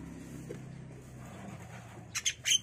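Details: Five-day-old Javan myna chicks in a cage begging as free-flying parents take turns feeding them grasshoppers and caterpillars; after a low, steady hum, three or four harsh, loud squawks burst out in quick succession near the end.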